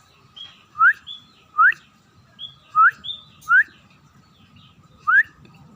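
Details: Scaly-breasted munia starting to sing actively: clear rising whistled notes, about five in six seconds at uneven spacing, with a steady faint tone and low rumble in the background.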